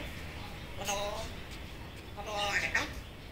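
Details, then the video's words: Pet African grey parrot repeating words it knows: two short, speech-like utterances with voice-like harmonics, the second rising into a brighter, higher ending. "African grey parrot cuty repeating the know words"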